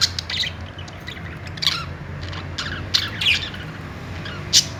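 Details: Cheerful budgie chatter of scattered sharp chirps and buzzy squawks, with several bright high squeaks spaced across the stretch and a low background hum.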